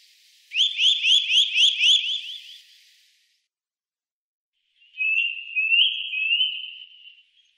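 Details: Eurasian nuthatch recorded in the Wittlich valley in 2018, giving about six clear upslurred whistled notes in two seconds, then after a pause a long, wavering, high whistled trill.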